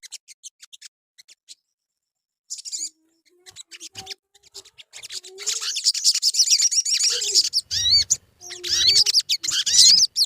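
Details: Sogon sunbird song used as a lure to get caged birds singing: sparse high ticks at first, then dense, rapid, high-pitched twittering with thin rising and falling whistles in bursts, plus a few lower scratchy notes.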